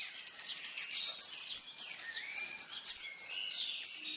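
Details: Energetic kolibri ninja sunbird song meant as tutoring material for other songbirds: a steady stream of rapid, piercing high chips, briefly interrupted, then resumed in clustered pairs with faint sliding notes beneath.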